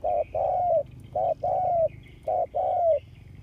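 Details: Spotted dove used as a ground decoy, filmed August 2021: throaty coos in couplets, a short opening note and a longer one sliding down at its end, roughly one couplet per second, quiet hum behind.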